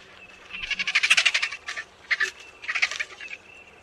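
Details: Egyptian vulture calling: three bursts of rapid, harsh, rasping pulses, the first longest at about a second, then two shorter volleys, over a quiet background.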